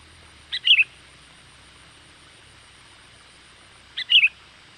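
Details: Lively sooty-headed bulbul call meant to attract wild birds: two short bright phrases about three and a half seconds apart, each a brief clipped note followed by a rapid warbled chirp, with silence between.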